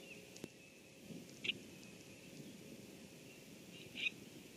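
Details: Two short, sharp chack notes from a bronzed Common Grackle on a nest-tree limb, about two and a half seconds apart, over a low outdoor rumble and faint high hum; 30 May 2014, evening.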